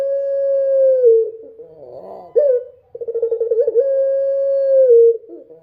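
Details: A Barbary dove singing at night gives long, steady, hollow low coos about a second each, broken by a rolling, throaty warble between them.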